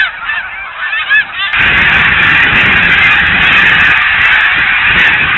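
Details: Snow geese at Blackwater National Wildlife Refuge ponds in winter: a few distinct upslurred honks at first, then the flock erupts into a dense, roaring mass of calls that holds steady.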